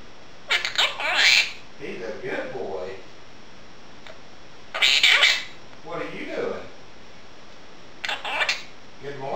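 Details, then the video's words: Pet Quaker parrot, a female, chattering indoors during dishwashing; three loud raspy bursts about every four seconds, each trailed by quieter, murmured speech-like phrases in a small room. "Quaker parrot talking"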